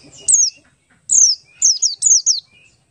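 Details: Oriental white-eye, Buxtoni type, ngalas song played as a lure for other white-eyes: a single high falling whistle, then a longer slurred note and a quick run of three descending whistles, very clear and bright.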